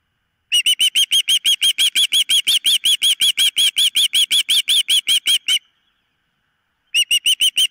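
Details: Osprey calling at a camera-watched nest: a long run of shrill, evenly spaced whistled chirps, about four per second for five seconds, then silence and a short renewed burst.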